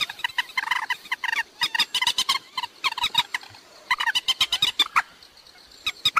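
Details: Waterhen lure sound for night bird trapping: rapid, steady stream of loud clucking pulses with strong overtones, about five to six notes per second, barely pausing throughout.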